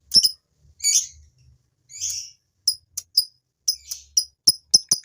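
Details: Male fighter lovebird uttering shrill, high chirps and short squeaky notes at uneven intervals, a few slightly drawn out, used to provoke females into ngekek chattering.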